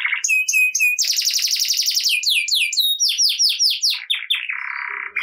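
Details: Canary singing vigorously, played to get lazy canaries singing at once: short repeated whistled notes, a fast buzzy trill, a run of descending swept notes, then a flat rasping churr.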